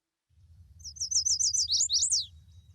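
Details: Male Chestnut-sided Warbler in Vermont woods, a bird of open-canopy young forest, sings a quick, high series of sweet slurred notes ending in an emphatic downslurred flourish, like 'please please please to meet you', over a low rumble.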